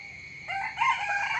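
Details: Opening of a morning chicken crow, a sudden loud harmonic call rising in strength, cut short after under a second, over a constant high tone.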